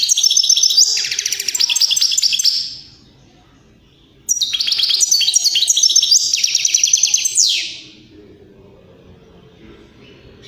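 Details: Strong European greenfinch song, meant to set other birds singing and mating: a fast twittering trill phrase, a pause, then a second run of rolling trills ending in a sliding, descending buzz.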